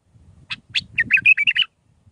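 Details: Bulbul song in the Mandalawi style of six phrases, used for training young birds: a short burst of bright chirps, then a quick run of warbled, slurred notes that rise and fall, over a faint low rumble.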